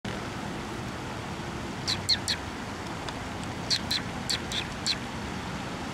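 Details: Sparrows at a Tenmangū shrine on 9 November 2023, flying onto a hand to be fed: sharp, brief chirps in two clusters of three to four notes, over a steady background hum.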